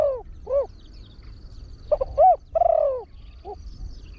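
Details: Trained spotted dove used to attract wild birds, in a big-voiced fast crowing style. Two separate low hoots, then one phrase of clipped hoots, a drawn-out sliding coo and a soft closing note.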